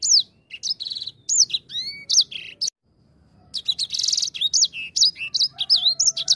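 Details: Grey singing finch lure song meant to trigger singing, with varied whistled notes, rising and falling slurs and buzzy trills, broken by a brief silent gap midway.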